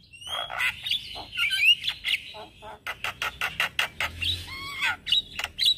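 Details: Male Javan myna singing in the morning as a lure and tutor for starlings: a clear whistle opens a chattering medley, followed by a run of sharp clicks and wavering nasal squeals near the end.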